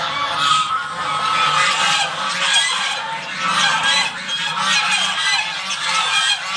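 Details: Domestic geese at a home honk for their breakfast, continuously and loudly, in an overlapping chorus of harsh, nasal calls with no pause throughout.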